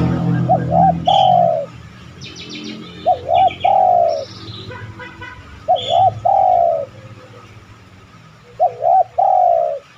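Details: Spotted dove coos repeated as a lure for other doves. Four phrases, each a short wobbling pair of notes then a longer sliding coo, come about every three seconds. Small birds chirp at a higher pitch between them, with low rumbling background.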